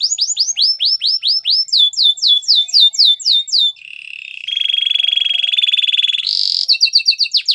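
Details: Canary singing a training song: series of clear downward-swooping whistled notes repeated about four per second, then a lower buzzy rolling trill, a brief higher buzz, and fast chopped whistles at the end.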